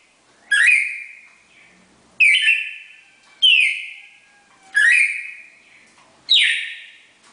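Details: Pair of red-crested cardinals giving the classic four-note Bagé song style: loud whistled phrases, each with a sharp rising onset then a sustained, slowly fading tone, five phrases at irregular intervals of one to two seconds, no other sounds.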